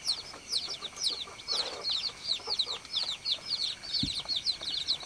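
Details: A group of baby chickens peeps steadily, high thin down-curving chirps crowding together, with a short low thump partway through.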